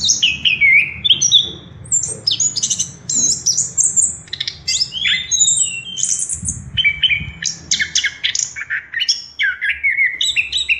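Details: Orange-headed thrush in continuous lively song, played to stimulate birds to sing: long, fast, high-pitched medley of swooping whistles, trills and chirps with barely a pause, over low background hum.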